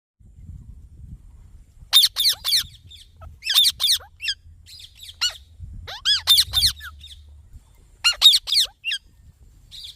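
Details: Green Indian ringneck parakeet giving harsh, shrill screeches in tight bursts of two or three, with bursts near 2, 3.7, 5.3, 6.5 and 8.3 seconds and quiet gaps between. A faint low rumble sits underneath.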